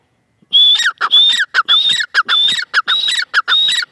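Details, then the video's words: Loud calls from a female francolin: a clear whistled high note followed by harsh lower notes, repeated in brisk groups after a brief silent start. "madi teetar ki awaz"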